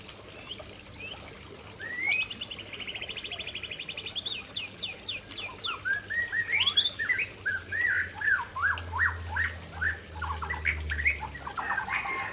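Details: Aceh-type white-rumped shama in lively full song beside a waterfall: a buzzy rattling trill, then fast repeated rising and falling whistled notes building in volume, about two and a half notes per second.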